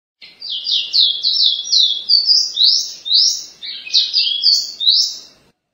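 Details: Ruddy-breasted seedeater (caboclinho-lindo) of the Pará type singing a fast, continuous run of high, slurred whistled notes, each sweeping downward then upward, about two per second, with a clean quiet background.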